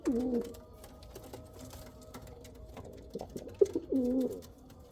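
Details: Domestic pigeon, Kal Cheeni and Rampuri breeds named, giving a low rolling coo at the start, then a quiet gap with faint clicks, then a second burst of throaty, wavering cooing near the end.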